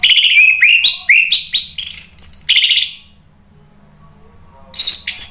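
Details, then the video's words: Lure song of an orange-headed thrush, played to provoke other birds into replying. Quick, varied whistled phrases climb step by step for nearly three seconds. After a pause, a short loud burst of warbling returns. "SUARA ANIS MERAH bikin EMOSI jadi NRATAK NYAUT NGEPLONG ¦ PANCINGAN AM"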